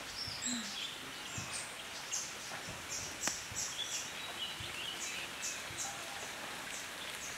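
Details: An Oriental dwarf kingfisher (Ceyx erithaca), one of a pair, gives thin, very high, shrill notes repeated about every half second over steady hissing forest background noise.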